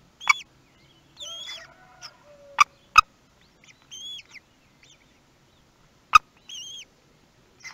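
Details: Common kestrel nest at Théding on 18 May 2021, the day the first chick hatched: short arched, thin whistled calls with a high overtone come in scattered pairs, mixed with sharp loud clicks and scraping sounds from inside the nest.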